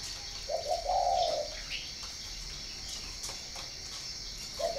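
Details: Low, mellow cooing phrase from a spotted dove at a northern Vietnamese breeding farm in Ba Vì, heard early on, with another coo starting at the very end; faint chirps and a constant hiss in between.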